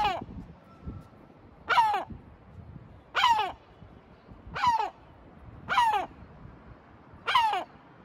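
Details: Sea gull in Batumi, Georgia, giving a steady series of six raucous falling squawks about every one and a half seconds, over quiet low-pitched background noise.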